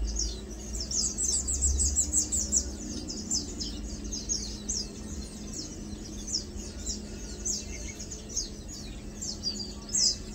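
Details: Lowland white-eye, known locally as Matang Dulong: dense, lively twittering of high, thin chirps that overlap almost without pause, possibly more than one bird, against a low droning hum and faint rumble.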